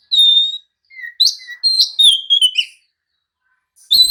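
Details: Oriental magpie-robin (kacer) in an excited, provoking song meant to make other birds answer and fight. A long clear whistle opens, then a quick series of short whistled notes and slurs, a pause, and a sharp note returning at the end.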